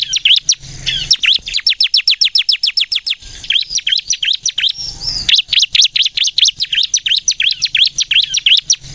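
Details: Bar-winged prinia (ciblek kristal) delivering rapid gacor nembak song for use as a lure: long runs of quick, shrill, down-slurred notes, a brief break, then another dense, rattling run.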